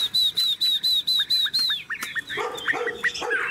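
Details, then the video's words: Tame caged Chinese hwamei, cage carried by hand and shaken, singing a run of seven clear, high, slightly falling whistled notes at a steady pace, then lower rising notes and busier mixed phrases. "Họa mi thuần điện căng đét - Xách tay lắc lồng hót đỉnh"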